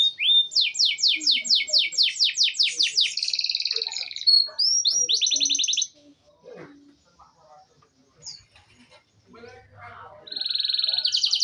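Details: Singing canary delivers a rapid train of descending high notes, a buzzy rattle and a dense pulsed trill, then a quieter gap of soft chirps before another buzzing trill starts.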